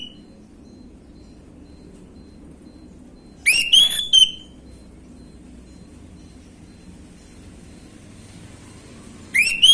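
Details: Orange-headed thrush song, gamblingan style, used as a lure for young birds: one short, loud whistled phrase with rapid broken notes, then a long pause, and another phrase beginning at the end.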